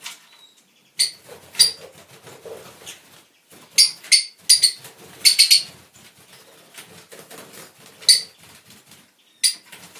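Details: Fischer's lovebirds of lutino, albino and pastel colour mutations give sharp, shrill, high chirps in short bursts, singly and in quick clusters of two or three, at irregular intervals.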